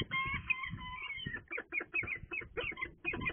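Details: Female peregrine falcon at Leicester Cathedral, 29 March 2020, calling greedily as the male brings in food and she snatches the prey before he goes to incubate the eggs. A drawn-out harsh harmonic wail, then a series of short, rapid, chopped notes. Low background rumble throughout.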